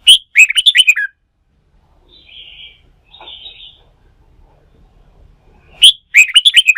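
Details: Red-whiskered bulbul, a fresh wild-caught bird, pushed into song for competitive singing practice. It gives two lively bursts of rapid, warbling whistled notes, each opening with a loud sharp note, with softer buzzy notes in the quiet gap.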